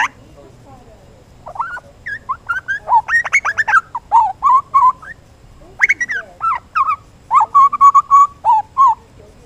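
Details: A juvenile grey butcherbird (Cracticus torquatus) sings a rambling run of mellow, piping whistles and short warbled notes in quick, uneven bursts, over a quiet background.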